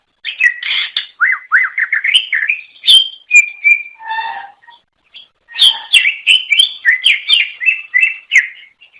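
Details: Greater green leafbird, cucak ijo, from Indonesia, singing to lure other birds of its kind; dense, varied warbling of sweeping whistles and sharp chips, a lower buzzy note mid-way, a pause, then rapid rolling phrases.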